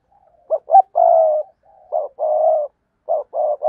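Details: Decoy spotted dove cooing to provoke and lure wild doves: three low hooting phrases, each two short clipped notes followed by a long steady mellow coo, with brief quiet pauses between phrases.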